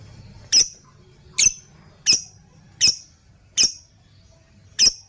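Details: Single piercing squeaky chirps from a lovebird, a lure for other birds, spaced under a second apart over a faint low hum.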